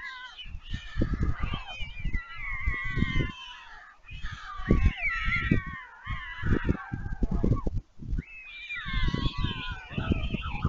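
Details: White stork young begging during feeding on the Leemansmolen nest, Vriezenveen, Netherlands, 11 July 2022: loud, harsh, wobbling nasal whines in three long bouts over many dull thumps and scuffles.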